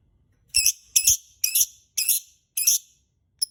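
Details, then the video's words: Lovebird sound used as a lure to make other birds sing: five harsh, shrill screeching bursts about half a second apart, with faint low thumps underneath. "Pancingan Suara Burung Lovebird"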